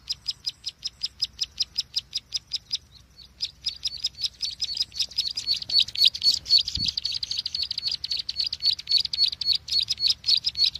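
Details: Bar-winged prinia call played as a trapping lure: evenly spaced high sharp chips, a brief pause, then a faster, denser run of high chirps; one low thump midway.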